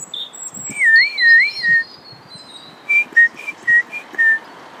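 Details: European robin (Erithacus rubecula) singing a clear phrase: thin high notes, a wavering warbled whistle, then five short bright whistles about a third of a second apart; the red-breasted male sings year-round, defending its territory with song.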